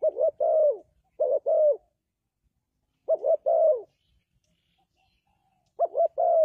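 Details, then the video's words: Spotted dove cooing, a call used to lure doves into traps: low soft coos, two short notes followed by a longer drawn-out one, the phrase repeated three times with quiet pauses between. "The Suara Burung Tekukur Bersih Cocok Untuk Pikat,Dove Trap"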